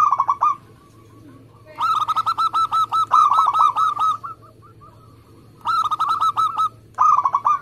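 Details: Local zebra dove, a persistent singer with speedy, tight phrasing. Repeated bursts of rapid, bubbling coos, one run holding about twelve notes, with quieter scattered notes and a pause between bursts.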